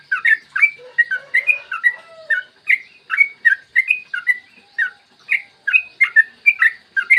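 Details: Yellow-vented bulbul singing a long rapid phrase, clear morning recording used to trigger song in other bulbuls: bubbly liquid chirps in tight clusters, with a faint lower warble early on.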